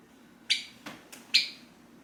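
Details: Caged, hand-tame Java sparrow calling for its owner who is about to leave the seat; two loud high chirps about a second apart with softer clicks between them, quiet indoor background.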